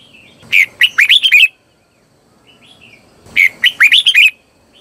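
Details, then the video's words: Singing red-whiskered bulbul used as a lure for wild birds, delivering two fast phrases of bright warbled whistles that dip and rise, with soft chirps in the gap. "CHÀO MÀO HÓT CHÉ GỌI BỔI CĂNG ĐÉT"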